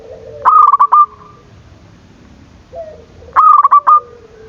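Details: Zebra dove calling to goad rivals into song: two loud, staccato, pulsed cooing phrases about three seconds apart, each trailing into a softer held note, with a quieter lower coo between them.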